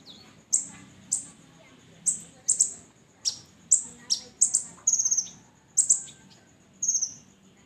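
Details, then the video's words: Red-breasted sunbird song, used as a lure to make other birds sing: very high, sharp chipping notes, each slurring downward, given singly and in quick clusters at irregular intervals, over a faint low hum. "Suara konin dada merah cocok untuk pancingan"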